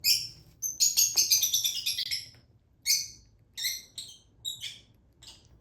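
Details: Baby lutino Fischer's lovebird begging while being hand-fed: harsh, buzzy, high chattering calls in a rapid burst, then separate rasping calls repeated about once a second, with quiet gaps.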